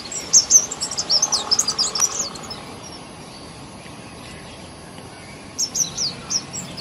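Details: Nestling birds being fed, heard close up, give quick clusters of shrill high chirps at the start, then a pause over steady background hiss before another short burst.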